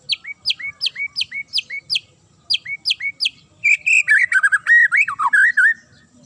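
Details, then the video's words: Provocative sharp song of a magpie-robin: rapid repeated downswept chips in two bursts, then a loud tumbling phrase of varied whistles and buzzy notes. "DIJAMIN Langsung NYAUT dan NGAMUK Pake Suara TAJAM Murai ini"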